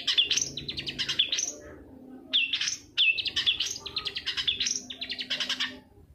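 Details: Long-tailed shrike singing on a lure recording meant to trigger other shrikes to sing. Two long bursts of fast, buzzy, rattling high notes, each ending in a sharp rising squeak, with a short gap between.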